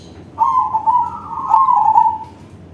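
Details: One long, rolling coo phrase from a crossbred zebra dove singing with a big voice, its pitch wavering slightly and stepping up briefly in the middle before fading out.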